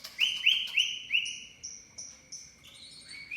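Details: Javan pied starling lure sound, used to get the bird to sing its full repertoire including cililin imitations: a run of clear, loud whistled notes repeated about every third of a second, then fading, thinner whistles, sliding lower at the end.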